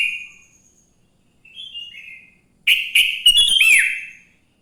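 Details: Sooty-headed bulbul song recorded in the morning as a lure for other bulbuls: a fading note and a soft warble, then one loud rush of clipped chirps ending in a downward slur.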